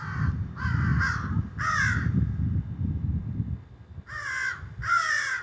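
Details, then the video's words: Crows squawking in trees behind a garden, cell phone recording: loud harsh caws, some in close pairs, over steady low rumbling background noise. "A Jungle Or Crows"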